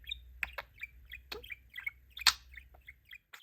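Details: A pet male budgerigar, a talking parakeet showing off his new phrases "Sweet!" and "There him is!", gives quick scratchy chirps and clicks in an irregular run, with one louder sharp note midway and a quiet background.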